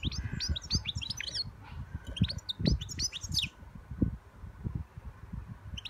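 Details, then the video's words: Young European goldfinch singing in short bursts of bright, tinkling twitters, with a pause between phrases, over steady low rumbling and handling noise. "My young European goldfinch singing"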